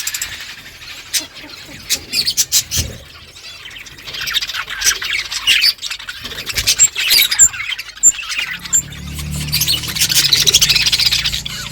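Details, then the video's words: Morning flock of budgerigars calling to one another: bursts of sharp squawks and chirps come in uneven clusters with short quiet gaps, then merge into a steady warbling chorus. "Budgies flocks in beautiful morning 🌄 birds talking to each other"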